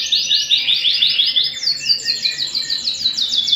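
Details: Domestic canary song indoors, a fast run of identical high downward-sweeping notes, then a brighter, higher rapid trill repeated about three times a second.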